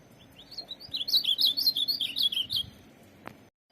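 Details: Tournament ultramarine grosbeak delivering a rapid warbled phrase of sweet, slurred notes lasting about two and a half seconds, ending in a sharp click, with a quiet background.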